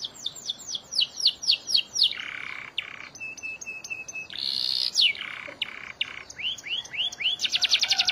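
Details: Canary, a long, continuously singing filler song used as canary song training: a fast series of descending whistled sweeps, then buzzy rolls and a steady high trill, then rising chirps ending in a rapid high trill.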